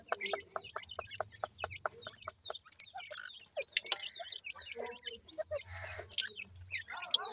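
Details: Grey and painted francolin chicks at feeding time give quick high peeps, a fast regular string of short notes at first, then scattered chirps, with a brief hiss of noise midway.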